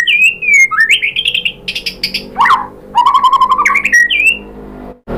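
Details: A white-rumped shama sings rich whistled phrases, a buzzy rattling note, then a fast trill of low chattering notes, ending in a brief pause.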